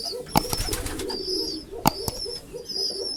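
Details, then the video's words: Low, soft pigeon coos pulse irregularly inside a pigeon house. Sharp percussive knocks and a brief flutter break in, and high thin whistles come and go above the cooing. "Pigeon sound effect pigeon house || Pigeon sound"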